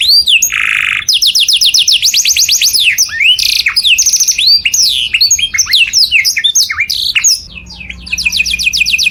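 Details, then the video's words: Canary singing loudly as a tutor song for other birds: a buzzy burst, then rapid rising trills and varied whistled notes. A soft low hum enters near the end. "O SOM DO CANÁRIO SOM ALTO DE OUTRO PÁSSARO PARA IMITAR"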